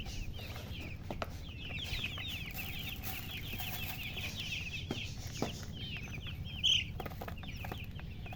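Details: Baby chicks chirp in a busy flock. Thin, sharp peeps run back to back, one brief louder squeak stands out near the end, and low murmuring noise sits beneath.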